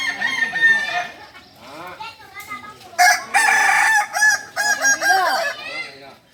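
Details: Crowing practice of Kukuak Balenggek roosters, singing chickens native to Solok: many arched, harmonic crowing phrases overlap, with a loud burst of dense crowing from the third second, then fading near the end.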